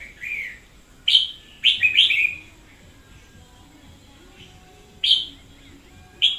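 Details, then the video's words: Red-whiskered bulbul, a lively decoy bird recorded in 2021: a soft opening note, then bright, warbling phrases in quick succession, a long pause, and two more sharp, loud phrases. "Chào Mào mồi chóe cực sung"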